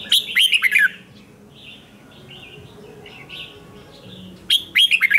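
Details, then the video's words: Red-whiskered bulbul singing a morning training song meant to push birds into a fired-up fighting song: loud bursts of clear, descending chirped notes at the start and end, with softer quick warbles in between. "Luyện chào mào hót sáng, QUÁ HAY - CHÉ KÍCH BỔI CĂNG ĐÉT, Cách luyện chào mào hót căng lửa"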